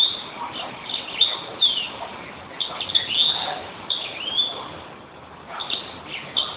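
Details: A European greenfinch sings repeated phrases of high twittering chirps and short slurred notes in irregular bursts over a faint background hiss.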